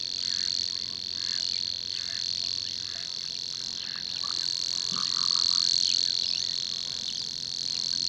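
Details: Savi's Warbler, a bird seriously scarce in the UK with typically at most three pairs a year, delivering a steady, unbroken high buzzing reel sustained throughout, with faint scattered chirps from other birds underneath.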